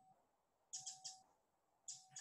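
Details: A typical Pacific Wren call from a sound library: sharp, dry, high chip notes, three quick then two more after a pause, over a faint electrical tone; when very rapid, possibly a contact call.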